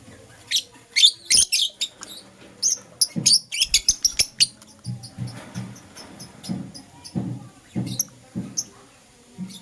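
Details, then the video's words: Morning chirping from a green Personata and a yellow pastel pied lovebird: a rapid run of sharp, high chirps early on, then quieter, sparse calls over soft low thumps and rustling. "Lovebird Chirping Sounds - Green Personata & Yellow Pastel Pied"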